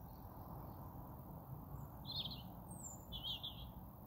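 European robin giving a few brief, high, thin warbled phrases, one a sliding wisp, set against a steady low rumble of background noise.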